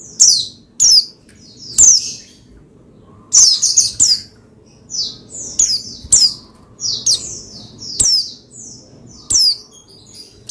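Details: Oriental white-eye (pleci) voice used to make another white-eye sing: an irregular stream of high, bright, downward chirps and short twittery groups over ten seconds against a soft hum.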